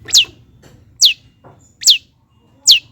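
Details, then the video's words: Cendet, the long-tailed shrike, in a provoking song for reluctant singers: four sharp, high notes, each sweeping downward, spaced about 0.85 seconds apart over faint low background hum. "CENDET GACOR || PANCINGAN CENDET MALAS BUNYI AGAR GACOR BONGKAR ISIAN"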